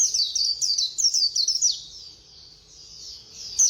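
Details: White-eye giving fast 'khuyên líu' song: a lively second and a half of high, slurred twittering notes, then a softer trailing warble and one loud chirp at the end.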